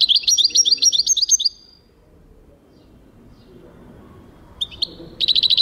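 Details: European goldfinch singing in 2023: a rapid, slightly buzzy trill of repeated high notes for about a second and a half, a long quiet pause, then a brief call and a fresh trill.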